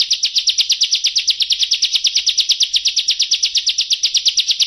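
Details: Unbroken fast high-pitched trill of bar-winged prinia song, nearly three notes a second over and over, clear and steady with no other sounds; a 'nembak ngebren' master for competition birds.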